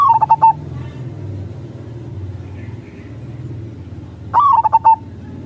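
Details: Crossing-style song of a local zebra dove used to lure wild doves: one cooing phrase opens the recording and another follows about four seconds later, each rising then breaking into rapid pulsed coos, over a steady low rumble.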